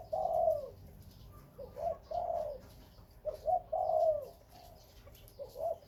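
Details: Spotted dove kept as breeding birds, a Khmer and Malay dove line, cooing: soft, hollow, low coos in short groups, each group ending in a longer drawn-out note, repeated about twice over six seconds, with faint background hiss.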